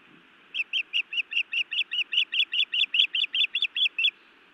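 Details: Female osprey scolding her mate at the nest in Montana on the evening of 31 May 2017, recorded by a live nest camera: a steady run of about eighteen sharp, high chirping notes, roughly four per second, over a low hum of wind.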